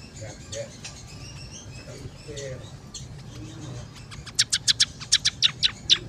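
Scaly-breasted munia: soft, thin high chatter, then about ten sharp, high, clipped notes in a quick, even series over the last two seconds.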